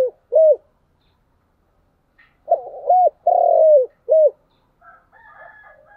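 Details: Spotted dove song in the chiêu and thúc styles. Short coos lead into a full phrase: a stuttered start, a rounded coo, a long level coo falling at the end, and a final short coo. Faint higher warbling notes follow.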